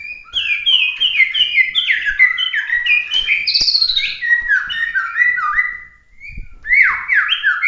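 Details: Competition-style song of a genuine Bahorok white-rumped shama, called murai batu, with 'tembakan' shots: a continuous fast stream of bright, ringing whistles and slurred phrases, dipping briefly near six seconds before resuming loudly.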